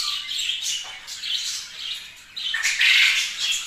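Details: Budgerigars kept as pets, heard as a harsh squawking chatter: buzzy high notes, a brief descending squeak early on, and a loud grating burst in the final second.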